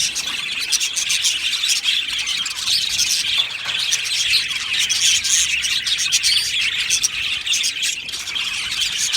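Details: A colony of Australian budgies in an aviary fills the air with unbroken, overlapping chirps, rapid tweets and chattering warbles that swell slightly toward the middle.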